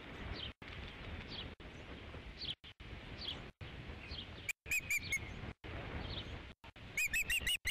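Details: Osprey at its ranch nest, 3 July 2016, during a fifth fish delivery: faint distant chirps early on, then two brief clusters of clear, high whistled cheeps near the middle and the end over a low outdoor hiss.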